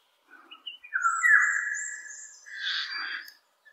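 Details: Eurasian golden oriole singing high up and far away: soft short notes, then a long fluting whistle that slurs up and holds, followed by a fuller, rich warbled phrase before fading.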